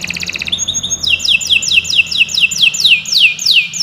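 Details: Canary tutoring song: a brief trill, then a slow series of clear whistled notes, each swooping downward, repeated about three times a second, over soft background hiss.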